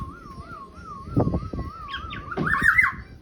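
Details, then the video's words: Black-naped oriole (kepodang) in active song: a long, steady, wavering whistle runs for two seconds, then a burst of harsh, fluty, tangled notes closes the phrase. A few soft knocks and low background noise. "Burung kepodang yang gacor"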